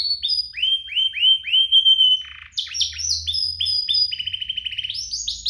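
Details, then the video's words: Canary song meant to trigger singing in other canaries: a run of repeated falling whistled notes, a brief buzzy burst, then quick chattering and a rapid even trill. "Kompilasi DUO GACOR, cocok untuk pancingan kenari biar gacor, masteran kenari paud"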